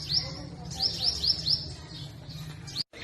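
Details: Spring song of a purple sunbird in north-west Pakistan forest trees: high, bright upslurred notes in a quick run of four or five, then a pause and one more chirp, over low steady hum.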